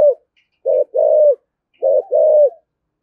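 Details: Spotted dove cooing in the 'thổ' voice and 'thúc gù' style to provoke rival doves: two clear pairs of deep notes, a short note and a longer sustained one, separated by a pause.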